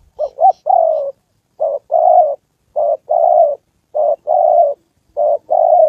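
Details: Caged spotted dove decoy in Gia Lai, Vietnam, facing a wild fighting male and a female; opening quick double notes and a falling coo, then a regular series of short-long coo pairs about every 1.2 seconds.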